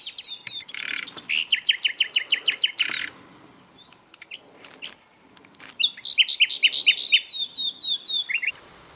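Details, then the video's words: Energetic Asian brown flycatcher song recorded for training birds: a fast, rattling series of sharp high notes, a short pause, then flicking chirps and a rapid trilled run of downslurred whistles. "MASTERAN BURUNG SIKATAN LONDO GACOR"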